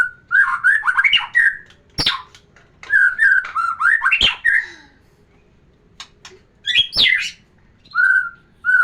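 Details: Loud White-rumped shama song meant to bring a hen into breeding mood: rich warbled phrases broken by sharp clicks, a pause, then a high squeaky burst and a short steady whistle.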